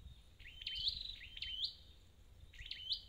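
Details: Thin, high-pitched phrases from a wild-caught red-headed flowerpecker: a rising zip, then a held bright whistle. Three phrases come with faint low rumble behind.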